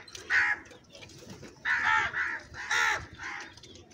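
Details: Many crows giving loud, harsh caws: an opening call, then a run of three to four grating caws in quick succession, some overlapping, against low background noise.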